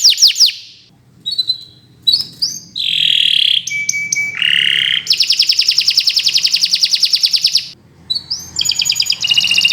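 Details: Canary, Kenari Nusantara, singing a training song for birds that have stopped singing, with varied buzzy notes and whistles, a long fast rattling trill, and pauses between phrases.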